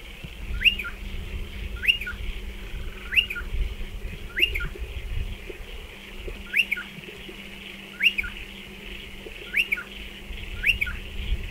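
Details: Striated pardalote at nesting burrows in a dry stone wall, giving short clear notes that sweep up then drop, usually in pairs, repeated about every one and a half seconds over a steady low hum and a faint high hiss.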